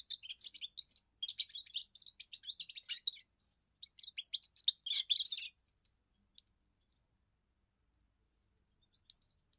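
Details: Young goldfinch's first song, a territorial and courtship song: several seconds of fast twittering and tinkling chirps in phrases, ending in a harsher buzzy burst, then near silence with a few faint clicks.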